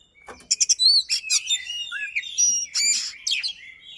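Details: Oriental magpie-robin in fast, dense, sustained song with rolls and sharp 'shot' notes, used to lure a silent magpie-robin into singing: quick clicks, then high whistled slurs and warbles running continuously.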